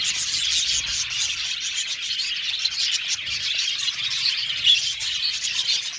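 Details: Many budgies calling at once in an aviary colony, a continuous busy twitter of high chirps and warbles with a single bright squeak standing out late on.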